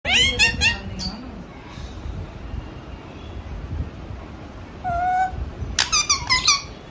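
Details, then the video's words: Pet parrot murmuring in its sleep, with squeaky, chattering syllables in two short bursts separated by a quiet stretch of room hiss. "Cute mithu parrot talking in sleep"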